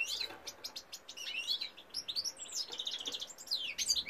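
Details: European goldfinch cock in song, 2018: a rapid, tinkling run of high, bouncing notes, some rising and some falling, mixed with short dry buzzes, continuous and lively.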